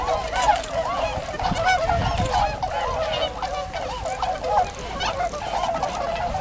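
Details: Tundra swans calling as a flock: many overlapping honking, bugling notes crowd together without pause, some with a rising then falling pitch, with a faint low rumble underneath.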